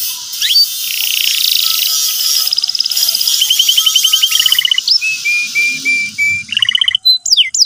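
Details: Canary song used as a lure to teach a young canary to sing, in the energetic 'gacor cuit cuit' style with 'ngeriwik' chatter: high swept whistles, then a long run of rapid buzzy trill notes, a series of flat whistled notes, and closing upward sweeps.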